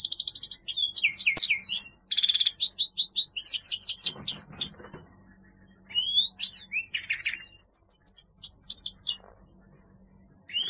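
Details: Long twittering song of a grey-headed goldfinch: fast chirps, trills and buzzy notes in rapid succession, broken by two quiet gaps with a soft low hum and faint rustling, then more bright twittering.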